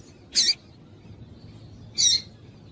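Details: Female double-collared seedeater calling to excite the male: two brief, sharp, high chips about one and a half seconds apart, over faint low background hum.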